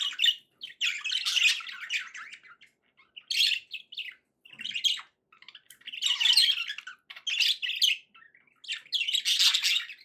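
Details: Budgies chattering in repeated bursts of scratchy, buzzy warbling and squeaks, each lasting one to two seconds with short silences between, for keeping a pet parrot company.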